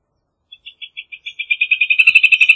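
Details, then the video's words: Rufous hornero song beginning with spaced clear notes that quicken and grow louder into a fast, ringing trill. "Hornero Canto - Rufous Hornero Bird Song"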